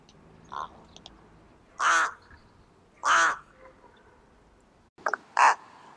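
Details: Rooks giving harsh, raspy caws spaced about a second apart, with a quieter short call first and a doubled caw at the end over faint background hiss.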